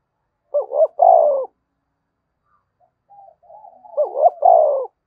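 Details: Spotted dove giving two 'thúc bổi' coo phrases about three seconds apart, each two short notes and a long coo, with soft low murmurs between.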